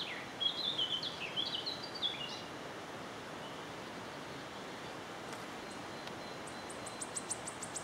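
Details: Wood warbler singing in Yarner Wood, Devon: high, thin ticking notes speeding up into a trill near the end, after faint chirps from another bird, over a steady woodland hiss.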